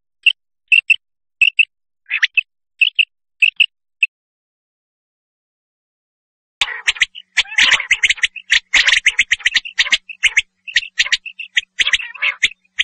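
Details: Male common quail calling: short clipped double notes, sharp and high, repeated at roughly half-second gaps for four seconds, then a pause followed by a dense, busy stretch of overlapping rapid chirps and harsh bursts.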